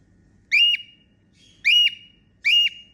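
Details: Three loud rising whistles from a female cockatiel making happy sounds, each note bending sharply upward and then flattening, repeated roughly once a second in a quiet room.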